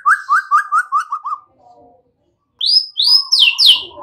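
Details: White-rumped shama song played as a lure to get young untrained birds singing openly and loudly: a quick run of seven similar rising whistled notes, a soft low pause, then higher, sharper slurred whistles and a steady faint tone.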